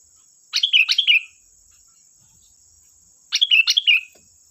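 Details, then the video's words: Singing sooty-headed bulbul used to bait other birds into song: two lively phrases of three quick tumbling notes ending in a falling slurred whistle, nearly three seconds apart, above a steady faint high tone. "Suara burung Kutilang Gacor || Suara pancingan Kutilang bahan"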